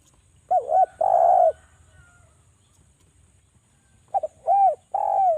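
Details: Javan spotted dove calling, used as a lure to make other doves call: two deep coos, a short one then a longer one, a long pause, then a quick double note and two more full coos; steady faint high hiss.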